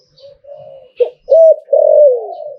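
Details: ['Zebra dove singing liu tan style: soft low coos building into a sharp note, a hooked coo and a long, slowly falling coo.']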